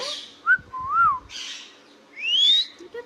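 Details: Talking pet Indian ringneck parrot giving a short arched whistle, a breathy squawk and a long rising whistled glide, with soft clicks between.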